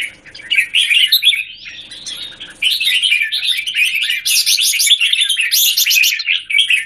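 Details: Caged red-whiskered bulbul (jambul) in a square A cage, recorded 17 January 2019, singing a dense, continuous run of bright, rapid chirps and warbled notes, quieter and sparser for the first two seconds, then loud and busy.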